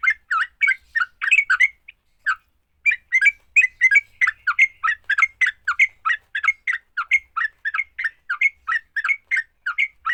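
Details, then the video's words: Sooty-headed bulbul fighting song, intended to make other bulbuls sing: ten seconds of hurried, scratchy chatter, a brief gap near the second mark, then an unbroken stream of quick, uneven notes. "Kicau TRUCUK TARUNG, paling cepat bikin trucukan BUNYI."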